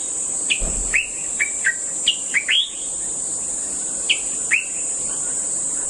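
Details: Common bulbul (Pycnonotus barbatus) gives short, bright chirping notes, each slurred up or down, in quick uneven bursts, with a steady high insect drone underneath throughout.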